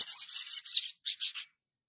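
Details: Sogon singing vigorously, recorded as training material for other birds: a dense, rapid, high-pitched chattering trill that breaks into three short separate chirps and then stops.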